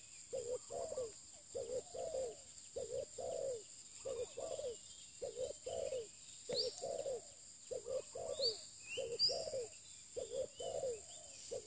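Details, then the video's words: Steady series of deep, soft coo phrases from a spotted dove kept for luring. Each phrase is a quick double or triple note. A few bright whistled chirps and a constant high hum are behind it. "pikat terkukur"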